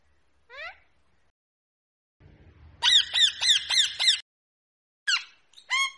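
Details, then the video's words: Rose-ringed parakeet with one short squawk, then a rapid burst of five or six loud, grating shrieks about a fifth of a second apart, followed by two more separate squawks; low rumble behind the burst. "talking mitthu ❤️ Ringneckparrot ❤️ parrot talking123"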